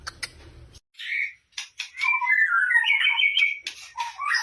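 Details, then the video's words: Lure recording of white-rumped shama song meant to trigger singing: a few clicks, then a sustained warbling run of fluid whistles that slide between low and high pitches, with a short pause near the end. "Pancingan murai batu 100% efektif langsung auto gacor"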